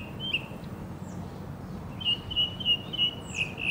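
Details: Northern mockingbird singing in Houston's Hermann Park, Texas, USA: after a lone chirp and a pause, a quick run of sharp, repeated whistled chips, about three per second, over low background hum.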